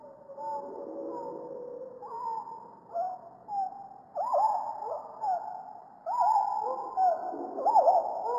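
Superb fairywren song slowed down to low, looping whistled notes that rise and fall in bursts, over soft background music.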